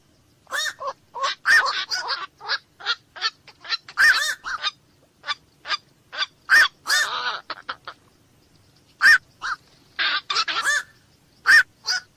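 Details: Rapid series of harsh, croaking kwok-like calls from black-crowned night heron, short nasal bursts repeated irregularly for several seconds, with a brief pause near the middle before the calling resumes.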